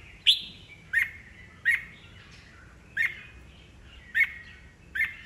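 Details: Red-whiskered bulbul, old wild-caught and caged, vocalising to incite competing birds; brief sharp chirps with falling whistled tails, repeated about every three-quarters of a second, with low background noise.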